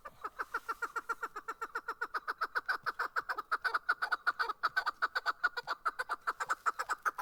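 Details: In Darvoz, Tajikistan, a chukar partridge, locally kabki mast, sings in 2020: a loud, clean series of clucking chuk notes repeated about two to three times a second, unbroken and evenly paced throughout, with a quiet background.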